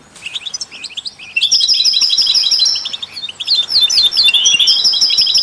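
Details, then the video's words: Goldfinch singing to stimulate other songbirds, recorded with canaries and mules: sparse high chirps build into a long, loud stretch of fast trills and sharp twittering notes. "Stieglitz Kanarienvögel und Maultiere stimulieren alle Singvögel"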